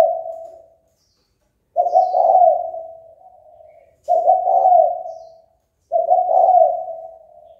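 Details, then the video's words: Spotted dove calling to provoke others into fighting: repeated low coo phrases about every two seconds, each a slightly rough, wavering coo that trails off into a softer drawn-out tail, with quiet gaps between. "Cu gáy chơi cực hay kích bổi đấu ngay!"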